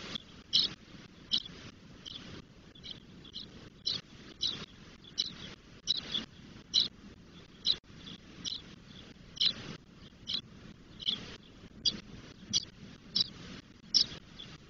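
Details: Ten-day-old spotless starling nestlings in Doñana National Park, Spain, voraciously begging: a long steady series of short, scratchy hissing notes, roughly two per second, with soft low background noise.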